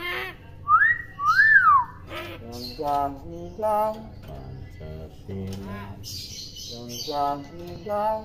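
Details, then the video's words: Tame common hill myna that copies human speech: two slurred, arching whistles open, followed by a steady series of voiced, word-like syllables broken by a brief high chirp, indoors. "Beo Pintar Meniru Suara Apapun"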